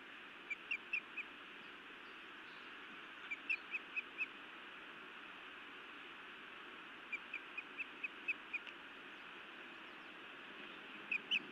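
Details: Female osprey scolding her mate at the nest, Montana, evening of 31 May 2017: short bright chirps repeated in quick runs of four to six, with pauses between bursts over a steady broadband hiss.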